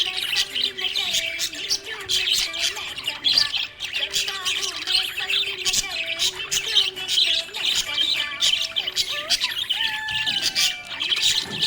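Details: Happy budgie in nonstop chattering, a dense stream of sharp high chirps, buzzy squeaks and short whistled slides, steady and energetic throughout, low tones faintly underneath.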